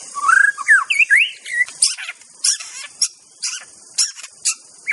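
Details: White-rumped shama, Aceh form, gives a few rising and looping whistles followed by a spaced series of sharp, high, scratchy chips.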